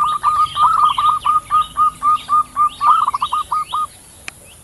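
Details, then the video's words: Zebra dove pair, male and female, answering each other in nature: rapid rhythmic string of short, level cooing notes at about four per second, with faint high chirping birds behind and a sharp click near the end. "Suara PERKUTUT BETINA dan JANTAN saling sahut di alam"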